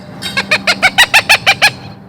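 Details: Female Cooper's hawk giving a fast, harsh cak-cak-cak alarm call of about eight evenly spaced notes, roughly six per second, during trapping for a study in Albuquerque, New Mexico, with a great horned owl used as lure.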